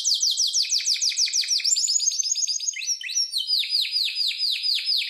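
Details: Harz Roller canary song for training: rapid, high repeated sweeping notes in rolling tours, shifting to new phrase types every second or so, clean with no background sound.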